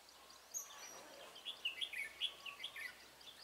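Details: Red-whiskered bulbul decoy at a trap, 23 March 2018. After a quiet start, a quick string of loud, clear whistled notes bursts out, each short and bright, over a light outdoor hiss.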